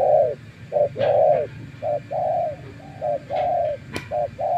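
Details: Spotted dove, a decoy bird after many days outdoors, calls in a regular pattern of brief and drawn-out soft coos, with a few clicks and taps in between.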